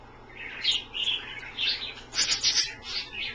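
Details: Australian parrots kept as pets chirping while taking a bath in a pie dish of lukewarm water, a series of quick high tweets in two clusters.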